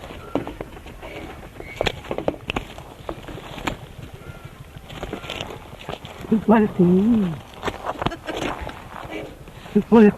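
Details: A musk duck (Biziura lobata) in an old recording, a vocal mimic, gives hoarse, speech-like phrases in two bursts, which researchers suggest say "you bloody fool", over a faint hiss of old-tape noise.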